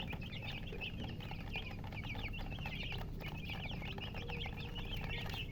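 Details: Newborn chicken chicks peeping loudly, a dense stream of high, sharply falling chirps overlapping several times a second over a constant low-pitched hum.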